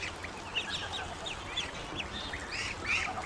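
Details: Young ducklings, grown a little, calling when hungry: scattered short high peeps, some rising, some falling, spread across the clip over a steady low background hum.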